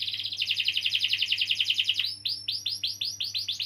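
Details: Canary performing a rolling song played to get young or silent canaries singing: rapid pulsed trill for two seconds, then a series of arched swept notes repeated about three times per second; steady low hum.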